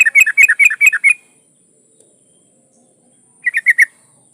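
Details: Female yellow-vented bulbul in breeding condition, calling a male, delivers a fast run of six bubbly, rolling notes, then silence, then a shorter run of four similar notes.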